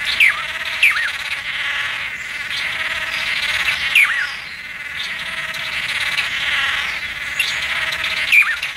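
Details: Red-capped manakin giving sharp, high, downslurred notes with clicky onsets, repeated at irregular intervals of about one to three seconds over a steady hiss of insects or background noise.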